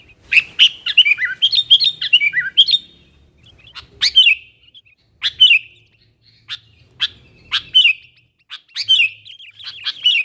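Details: Chattering sooty-headed bulbul calling its wild companions as a lure; an opening stream of rapid warbled chirps, then single sharp notes with bubbly tails spaced roughly one to two seconds apart.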